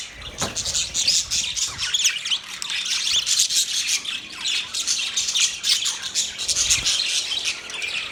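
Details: Harsh, grating budgerigar chatter runs without a break, rasping squawky notes mixed with quick chirps.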